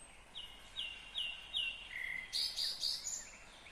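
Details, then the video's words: Nightingale song recorded in Kyrgyzstan in 2020: four clear whistled notes repeated about every 0.4 seconds, one lower note, then a rapid, loud buzzy rattle of pulsed notes, with faint background hiss. "Незабываемое Пение соловья / Chill out Nightingale Singing / Булбул уну / Булбул овози"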